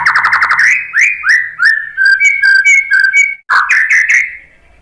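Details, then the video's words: White-rumped shama song played to provoke fighting males into answering: a fast buzzy trill, then a run of loud rising whistled notes, a steady double-toned phrase and more rising whistles before fading. "SUARA MURAI BATU bikin EMOSI FIGTHER jadi NYAUT GACOR"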